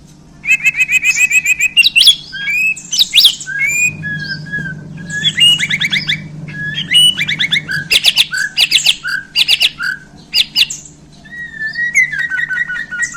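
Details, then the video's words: Handled Borneo white-rumped shama in full 'isian' song: rapid stuttered notes, loud clicks, whistled sweeps and harsh chatters in a busy, varied stream lasting many seconds, above a low hum. "Murai Borneo Ini Langsung Kasih Isian Pedas!"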